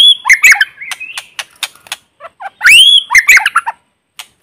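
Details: White-rumped shama in forest, a lure bird singing to stimulate others, free of background noise: high whistled slurs, a loud arching whistle, sharp ticking clicks and harsh chattering notes in quick succession.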